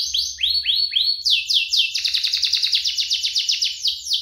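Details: Two domestic canaries in a lively duet, used as a lure to get canaries singing and as a tutor for young birds: high sweeping upslurred notes, then fast buzzy rolling trills at a steady rapid pulse, no other sounds.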